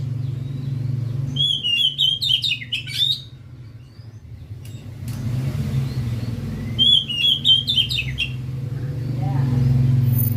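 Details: Oriental magpie-robin kept as a hobby bird gives two bursts of fast, high chattering notes with quick rising and falling twitters. A steady low engine rumble runs underneath.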